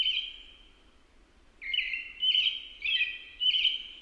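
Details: American robin song: one drawn-out whistle fading away, a pause, then four rapid caroling phrases rising and falling in quick succession.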